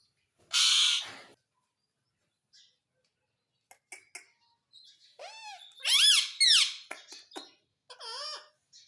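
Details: Talking parrot indoors saying mummy and papa; a loud harsh broadband burst first, then clicks and a cluster of squeaky, curving harmonic syllables.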